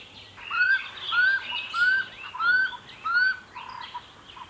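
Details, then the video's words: Common Scimitarbills nesting in a braai boma at Hlane Royal Game Reserve as the first young fledges and leaves the nest; five clear, slightly rising whistled notes about two-thirds of a second apart, with fainter chirps from other birds behind. "Common Scimitarbill fledging"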